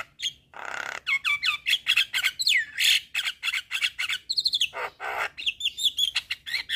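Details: Full-fill Javan myna song meant to start other mynas singing: a dense jumble of harsh squawks, clicks and bending whistles, with rising and falling slides and no gaps.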